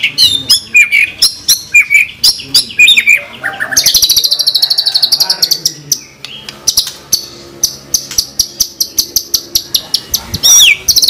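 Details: Vigorous white-rumped shama song, full of 'tembakan' shot phrases, used as a lure for shamas: scattered chips and short slurred whistles, then a dense high buzzy trill, followed by rapid repeated sharp notes and a final clear whistle.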